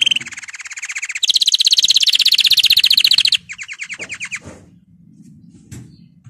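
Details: Singing canary, intended to stimulate canaries to sing: a rapid trill swells into a louder, denser rolling trill, then shorter trill bursts, followed by faint low rustling and knocks.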